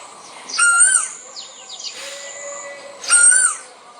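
A male Asian koel gives two loud, ringing, rising calls about two and a half seconds apart. Fainter bird chirps fill the gap between them.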